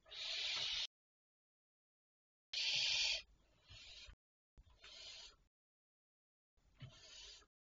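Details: Barn owl at 02:53 at night on 23 May 2023 giving four harsh, hissing screeches, each under a second, spaced about two seconds apart; the first two are loud and the later ones fainter.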